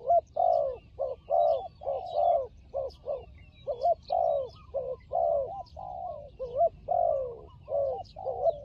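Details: Low rolling coos from a fighting turtle dove in Cambodia, tied to trapping, delivered in uneven clusters with a few longer sliding notes, light bird twitter above.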